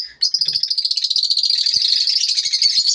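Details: Morning chatter from lovebirds: a long unbroken run of high, rapid, evenly pulsed chirps, slightly buzzy, with a few faint low taps in the background.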